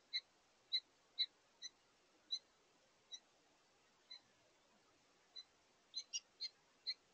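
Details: A pair of house finches at a bird feeder, calling to each other while taking their last meal of the day: short high chirps, single or in quick pairs, a dozen across a few seconds, irregularly spaced.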